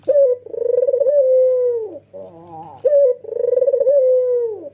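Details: White Barbary dove, a red-eyed male, giving nodding coos meant to prompt other doves to call. Two long, throbbing coos, each starting with a clipped bright note and sagging in pitch at the close, with a soft nasal phrase between.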